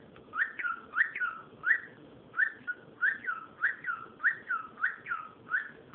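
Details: Cockatiel producing a steady series of short two-part whistles, a quick upslur then a dip, repeated roughly every half second with quieter murmuring noise underneath.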